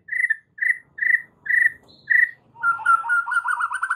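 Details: Oriental magpie-robin full isian masteran: five evenly spaced mellow whistled notes, then a quick warbling trill on a lower pitch.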